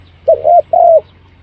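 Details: Spotted dove calling as a quick-attracting lure, a single pair of smooth mid-pitched coos, the second longer and gently falling, with a soft low hum beneath.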